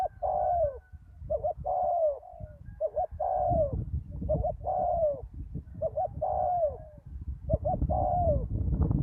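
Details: Decoy spotted dove on a ground arena after a storm, a strong-voiced wild dove calling back: repeated phrases of two quick hoots and a drawn-out descending coo, about five phrases, with low background rumble.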